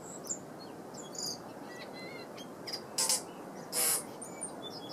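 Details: A tui at Karekare Beach, Auckland, New Zealand, sings a varied phrase of high whistles, short ringing notes and two loud wheezy bursts over a steady soft hiss.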